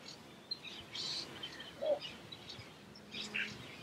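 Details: A Little Bittern in the Harchies marsh, Belgium, in July 2014 gives one short, low, croaking bark, while small birds chirp and twitter high in the background.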